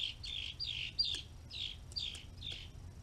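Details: Red-bellied woodpecker gives a run of rolling, burry notes, roughly two each second for three seconds, against a background of low rumble and a few sharp clicks.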